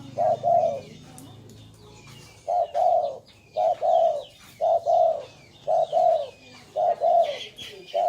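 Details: Spotted dove cooing: low, hollow two-part coos repeated about once a second in a steady series, over faint background hum with a few thin high chirps from other birds.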